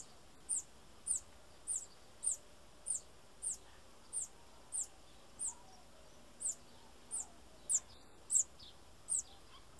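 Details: Bananaquit calling: thin, very high sharp notes repeated roughly every half second to second, each a short downward-sliding tick, over a low steady background hiss.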